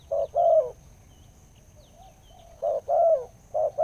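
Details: Spotted dove described as a wild bird with a big voice, followed for almost two years, giving low hollow coos in short groups of two or three notes separated by a pause of about two seconds.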